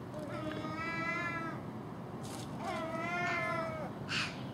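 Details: Common gulls at a house in the early morning, feeding on garbage left out overnight alongside a magpie and crows: two long, drawn-out mewing wails, each about a second and a half, with harsh, noisy bursts from other birds between them.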